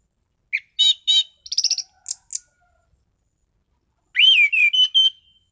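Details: Loud, steady song of a caged orange-headed thrush (anis cendana), known for sharp shots. First comes a quick run of buzzy, stuttering and high chipping notes. After a pause of almost two seconds, a swooping whistled phrase follows.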